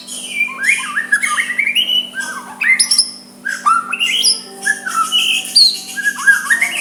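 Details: White-rumped shama singing softly to incite a rival to answer; fluid whistled phrases, descending and rising slurs and buzzy notes in varied bursts, brief pauses between, a low electrical hum throughout.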